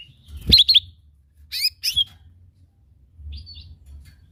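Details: Cucak ijo mini, the lesser green leafbird, in a lure recording for prompting other birds to sing. Two loud bursts of sharp, twittering high notes, with clicks, then a softer, thin whistled phrase near the end.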